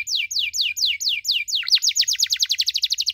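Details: Canary chirping as a training model for young canaries learning 'cuit cuit': a few loud, slow falling chirps, then an abrupt switch to a rapid rolling trill of short notes.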